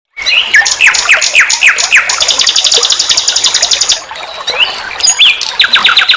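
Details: Common nightingale song from a master recording for training songbirds: a run of repeated down-slurred notes, then a long rapid buzzy trill held high, and finally sharp repeated chips and a new fast phrase.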